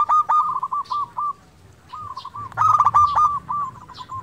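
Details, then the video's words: Local zebra dove singing constantly, played as a lure to rouse quiet doves: a quick run of staccato coos, a short pause, then a louder rattling phrase trailing into spaced notes, with faint high chirps. "Perkutut lokal gacor pancingan untuk perkutut malas bunyi"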